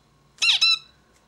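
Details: Zebra finch giving one harsh, nasal double note, two buzzy stacked-tone bursts in quick succession with a falling sweep, in a quiet indoor room.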